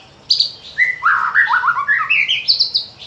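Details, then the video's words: White-rumped shama singing, played to draw song from other shamas, morning and afternoon: a high whistle, then a cascade of rich, fluty slurred notes descending and climbing again, ending in high thin whistles. "Pancingan murai batu untuk pagi dan sore hari"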